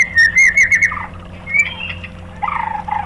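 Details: White-rumped shama song used as a lure for other shamas: a brief series of rich whistled notes with quick high chips, then softer lower warbling.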